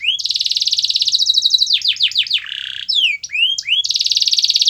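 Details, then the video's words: Canary song to prompt a silent canary: a long rapid high trill, falling slurred whistles, a low buzzy roll, upswept chirps, and a closing fast trill, loud and clear. "Kenari Anda MALAS BUNYI, Coba Putar Video Ini !!!"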